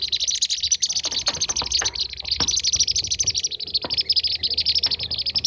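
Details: Kirik-kirik calls of the blue-tailed bee-eater, used as a lure: continuous high, rolling chirps pile up thickly in a busy chorus, with a few sharp clicks scattered through it.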